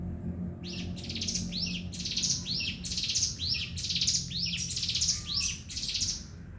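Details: Ngebren-style Javan sunbird song beginning after a short lull, high, dense, buzzy phrases with downward-curving notes, repeated about once a second before fading out.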